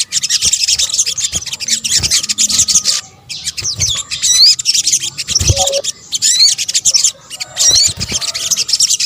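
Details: Sunbird, the sogok ontong of Indonesia, in a combined lure recording. Rapid, high, scratchy twittering runs on with scattered upward-sweeping whistles and occasional low thuds and brief breaks.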